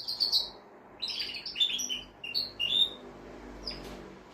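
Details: Male canary song meant to ready a female for breeding: separate bright chirps and short downslurred whistles spaced through a quiet room, with brief gaps between them.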